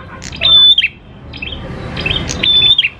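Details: Prinia (prenjak klawu) lure song: two phrases, each a bright level high whistle that breaks into a falling slur, with soft chips between them.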